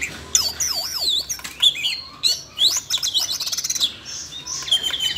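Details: A Siberian rubythroat, roused to sing while a young bird was being voice-trained, gives a rich, fast warble of high whistles, slurred notes and quick chattering trills, with another small bird's twittering mixed in.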